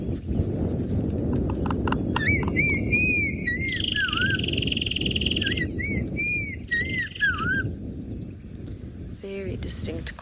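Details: A black-crowned tchagra at a dam in Djuma Private Game Reserve on a clear, chilly sunrise (8 January 2023) sounds like it is conversing with itself. It gives loud, clear whistles slurring up and down in varied, back-and-forth phrases over a low rumble.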